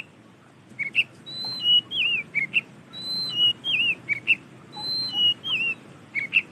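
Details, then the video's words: Loud white-rumped shama song made of repeated phrase groups: a high flat whistle, a lower wavering whistle, and sharp short notes, the pattern repeated about every two seconds over a quiet background. "Suara Burung KACER GACOR Dan Kicawan Sangat Lantang"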